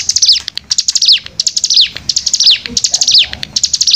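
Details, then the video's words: A Hill prinia (cigun) pours out a fast, dense stream of thin, high chips mixed with quick down-slurred whistles, delivered almost without pause. "cigun nembak rapat"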